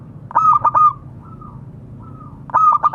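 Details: Zebra dove calling to companions, a local bird: two loud bursts of three to four fast, punchy coos, with faint soft cooing in the pause between.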